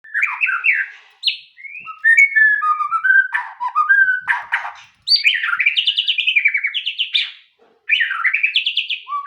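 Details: White-rumped shama song: varied loud whistles and rapid warbled trills, phrases sliding up and down, broken by short pauses, with harsh chattering notes in the middle.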